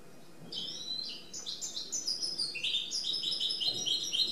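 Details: Singing goldfinch mule: quick series of high, clipped chirps building into a fast trilling twitter, notes stepping down and up in pitch. Quiet background.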